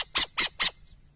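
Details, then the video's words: An owl gives three short, harsh, hissing screeches in quick succession, each lasting about a fifth of a second, against a quiet background. "som de coruja"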